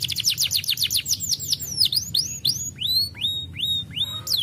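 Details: Starblue canary singing a lively song used to stimulate lazy birds into singing: fast rapid-fire trills of high notes giving way to a series of clear, sweeping downslurred and upswept whistles.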